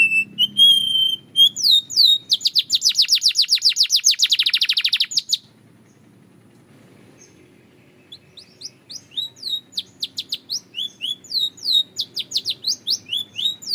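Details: Canary of the Belgian type gives a clear whistled note, then a long rapid rolling trill of very quick repeated notes, a pause of near silence, and resumes with softer quick high chirps building in volume.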